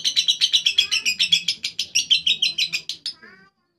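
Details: Lovebird ngekek song: an even series of harsh, high chattering pulses, about five per second, fading into softer notes before stopping.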